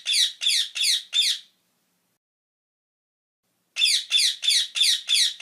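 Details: Parrot calling in two bursts of harsh, squawking notes, four then seven, each short and high, repeated about three times a second with a silent gap between bursts; no other sounds.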